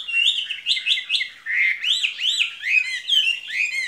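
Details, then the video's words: Caged skylark singing a 'spring love song': a fast, unbroken run of bright chirped and slurred notes, many rising then falling, tumbling over one another with hardly a pause. "Chim quý ở lồng son ca bản tình ca mùa xuân"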